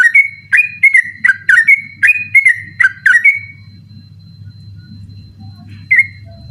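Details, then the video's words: Night song of a sooty-headed bulbul, recorded as training material for other birds: about eight quick whistled notes in a rapid series, then silence with a low hum and one final lone note. "burung trucukan ropel ngotot dimalam hari cocok buat masteran ropel malam"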